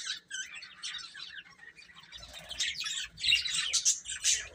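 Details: Chicks eating and playing, their thin high cheeps coming in irregular clusters, quieter at first and louder toward the end, over light scuffling sounds.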